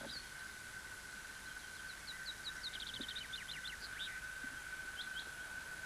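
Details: In spring a male common chaffinch sings from high in a spruce, seeking a mate, as a nearby female shows receptiveness; a bright, accelerating run of falling notes ending in a quick flourish, over a steady background hum.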